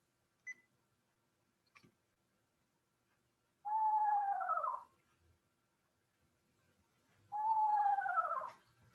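Eastern Screech-Owl giving two quavering, horse-like whinnies about a second long each, spaced roughly four seconds apart; faint clicks between them.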